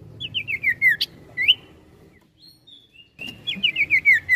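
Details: Sirtu (ashy tailorbird) in full gacor ngetril ngetrol song. It gives loud rapid series of down-slurred chirps, a rising whistled note, and a brief soft trilled pause. Then another fast descending run of chirps follows.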